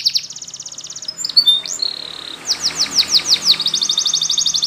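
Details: Spanish Timbrado canary song meant for training, with a rapid buzzing trill, a few gliding whistles and a steady held tone, then a series of falling sweeps and another fast rattling trill.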